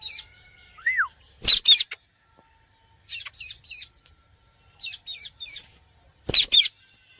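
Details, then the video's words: A pet parrot, talking and playing with friends, gives harsh, high, scratchy squawks in clusters of two or three every second or two, with one brief rising-then-falling whistle near the start. "Parrot talking"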